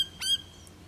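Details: Australian ringneck (western form) feeding on Crotalaria cunninghamii at De Grey River, Pilbara, 13 June 2012, gives a single sharp, harsh, high-pitched squawk lasting about a sixth of a second, with quiet background hiss.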